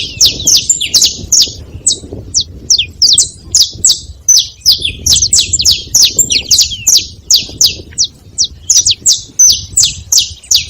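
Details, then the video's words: Saffron finches at a feeding spot, making a busy chatter of sharp, high chirps that overlap densely throughout, several birds calling at once, with a low rumbling background noise underneath. "Canário da terra fazendo barulho na seva"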